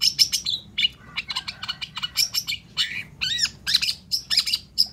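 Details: Long-tailed shrike in loud, full song, used to coax quiet shrikes into answering: dense, varied chatter mixing scratchy bursts, high squeaks and a looping downward-curving whistle, delivered in quick succession.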